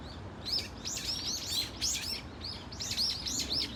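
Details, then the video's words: Flock of Brown-eared Bulbuls calling at Dunsan Grand Park, South Korea: a rapid overlapping series of shrill, rising-then-falling squealing notes, several birds at once, over faint steady background hiss. "직박구리 무리 다양한 울음소리 Brown-eared Bulbul sound of crying"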